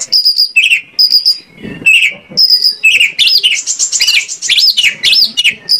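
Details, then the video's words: Energetic Oriental magpie-robin song meant as a lure to draw replies: high steady whistles and buzzy notes that give way to a fast run of looping, swooping whistled phrases. "PANCINGAN KACER AGAR ON MAU NGOBRA !! KACER MANAPUN PASTI LANGSUNG NYAUT"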